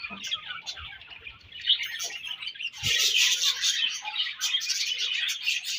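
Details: Several budgerigars during breeding season chirp and warble in quick, irregular bursts. The chatter grows louder and denser after a sharp knock near the three-second mark.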